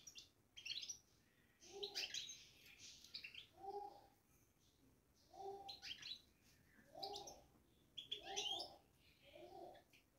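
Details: European goldfinch kept in a cage gives its babbling in spurts of high, jangling twitters and sharp chirps. Low, hollow cooing notes sound in between, repeating roughly every one and a half seconds.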